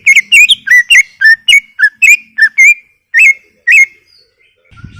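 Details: Cucak ijo, the greater green leafbird, singing gacor-style for masteran: a quick run of clear, downward-slurred whistles that slows to two spaced notes and then falls silent, ending with a faint low rustle.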